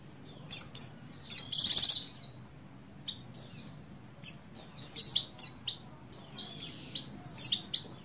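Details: Female Oriental white-eye of the buxtoni form, in breeding condition, calling to attract a male: bursts of high, thin, rapid chirps and squeaky twitters, each about half a second to a second long, separated by short pauses; quiet background.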